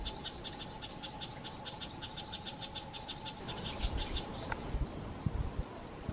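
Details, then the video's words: Frantic female Amethyst Sunbird scolding a pair of Fork-tailed Drongos that came too close to her nest: rapid, sharp high chirps repeated several times a second, with a steady low hum underneath and light background rustle. "Amethyst Sunbird female rowing Fork-tailed Drongos that are too near her nest"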